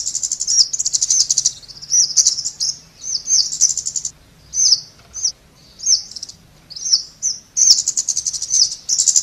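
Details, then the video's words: Very high, thin chips and buzzy trills of a Scarlet-backed flowerpecker, delivered in irregular bursts with short gaps. "เสียงนกชมพูสวน Scarlet-Backed Flowerpecker Sound"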